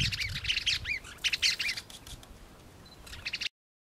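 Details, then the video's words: A Greater Wagtail-Tyrant, a single bird in Barrio Los Nogales, Merlo, San Luis, in November 2013, gives a quick run of bright, chattering notes with some upslurred whistles, then a pause before a short final burst. "Calandrita (Stigmatura budytoides): VOZ."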